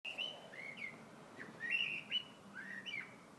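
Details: Bird singing in February: clear whistled phrases around mid-high pitch, short slurred rising and falling notes repeated in quick succession, with a faint low hum beneath.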